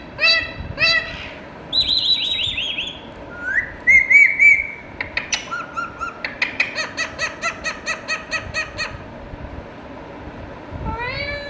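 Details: Talking Indian ringneck parakeet mixing nasal syllables, a wavering high whistle, a rising slurred whistle, then a long rapid series of sharp clicking notes and a final rising call.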